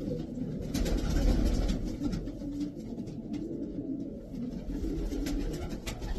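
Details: Low, rolling coos from a group of twelve racing pigeons of the Davy Van Roy line repeat roughly three times a second in an uneven rhythm, layered over dull background rumble and scattered soft knocks.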